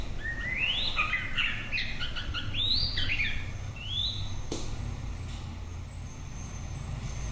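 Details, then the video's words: White-rumped shama delivering a bright whistled song for about four seconds, quick upslurred and looping notes, then a click and near silence with faint background hum. "Chòe lửa bông tới nái /shama bird/murai batu/白腰鹊鸲/บินหลาดง/"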